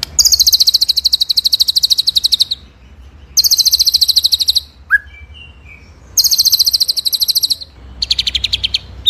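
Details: White-rumped shama (murai batu) song in full ngerol nembak style, recorded as masteran: three loud bursts of rapid, very high chattering trills, each about two seconds long, separated by short pauses with a brief low whistle between.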